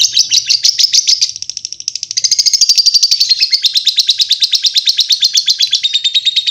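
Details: A lovebird's long chatter fills the recording: an unbroken, very rapid series of piercing, buzzy high notes, slightly softer for a moment near the start, then loud and even throughout.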